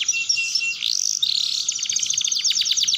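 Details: Canary song used to prompt young canaries learning to roll: short high piping notes, a rising whistled slide, then a rapid buzzy trill of repeated strokes, over a low steady hum.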